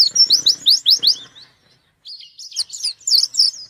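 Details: Gacor white-eye in full song while seeking a rival: a quick run of rising, slurred high whistles, then a pause before scratchy twittering notes with sharp rising strokes resume.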